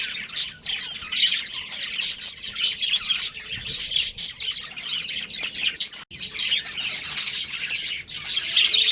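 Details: Budgerigar breeding pair chattering: high, rapid chirping and scratchy warbles in dense bursts, with one short break midway.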